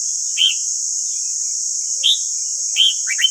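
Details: Red-whiskered bulbul singing in the morning to tutor caged birds: sparse single bright whistles roughly every one and a half seconds, ending in a quick pair of slurred notes, with steady background hiss.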